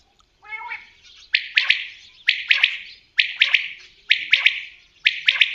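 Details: Common quail calling: after a short harmonic opening note, five sharp three-note phrases follow, each a quick liquid triple burst, repeated roughly once a second against a quiet background.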